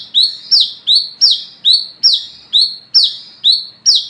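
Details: An olive-backed sunbird, or wiceh, sings after dark in the ngalas ngeplong manner used for luring its own kind, giving about eleven piercing, descending whistled notes at a brisk, even pace, two or three per second.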